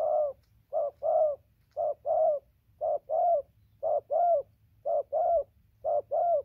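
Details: Spotted dove, said to coo throughout from far to near, recorded 15 November 2020: low, hollow paired coos, a short note then a longer falling one, repeated about once a second, with a steady low hum beneath.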